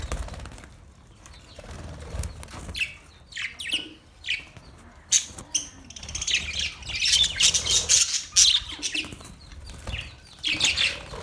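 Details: Budgerigar chirping that starts sparse with scattered clicks and short notes, then swells after six seconds into continuous, buzzy high warbling.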